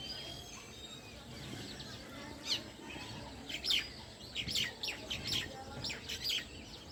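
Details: House sparrows in the evening: after a quiet start, loud clipped chirps break out from about two and a half seconds, repeated in quick irregular bursts, with a faint steady hiss behind them.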